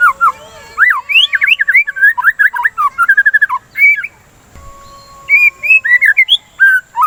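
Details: Song of a white-rumped shama, played to stimulate singing: a dense fast run of slurred whistles, a steady faint whistled tone behind, a pause, then further rising and falling whistles.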